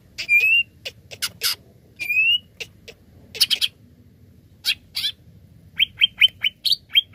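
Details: Greater green leafbird lure song aimed at setting other birds singing: rising whistles and rough broadband chips in loose phrases, closing with a quick string of five short whistled notes, steady low hum throughout.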